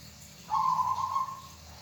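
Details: Local zebra dove of the kind kept by bird hobbyists, giving a single soft, fluttering coo at mid pitch. It lasts under a second, starts abruptly and trails off, over quiet background hiss.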